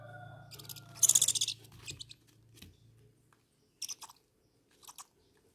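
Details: Hand-fed owlets, two young birds eating fresh chicken meat on the sixth day of feeding in August 2020, giving loud, harsh, breathy screeches in a rapid cluster, then two shorter hissing bursts, with a low hum early on.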